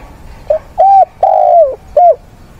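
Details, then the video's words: Decoy spotted dove calling mates and singing to challenge wild doves, weekend of 6/9: a four-note cooing phrase, a quick soft opener, a steady coo, a long coo sliding down, then a short final coo. "Cu gáy,cu mồi kích bổi, gọi bạn, hót đấu"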